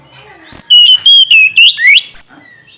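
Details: Tledekan gunung flycatcher song of six or seven loud, clear whistled notes, each held briefly, with the pitch wavering up and down in a quick phrase.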